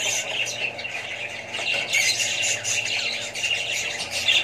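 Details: Many budgerigars, including babies, chattering together: rapid scratchy squawks and high twittering notes layered densely without pause, with a steady low hum beneath.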